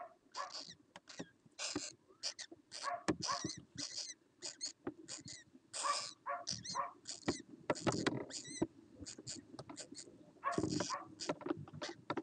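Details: Laughing kookaburra (Dacelo novaeguineae) in Australia, 7 November 2014, gives harsh, chuckling bursts in a rapid, uneven series for about twelve seconds, over a steady low hum.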